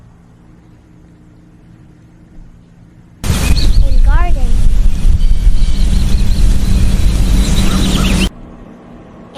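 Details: A quiet start gives way to about five seconds of loud, low rumbling noise with a voice speaking over it, then quiet again.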